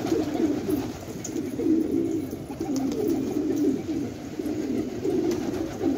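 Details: Chorus of fighting pigeons at Khan Abad, rural Afghanistan: low, bubbling coos from several birds overlapping without pause, swelling and fading in short throaty phrases.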